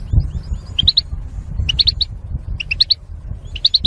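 European goldfinch giving quick bright bursts of three or four tinkling, liquid notes, repeated about every second, over a low background rumble.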